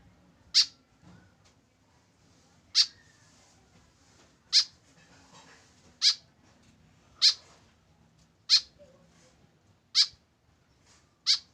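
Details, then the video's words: Lone tame white-breasted woodswallow, kept without a companion, gives eight sharp, high, clipped notes, each about one and a half seconds apart, in a quiet indoor setting. "KESEDIHAN BURUNG KEKEP BABI TANPA TEMAN"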